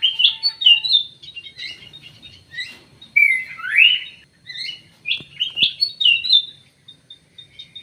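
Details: Common green magpie kept in an aviary and fitted with a leg ring, giving varied chirps and bright whistled slurs that dip and rise, loud phrases broken by short gaps, faint background hum.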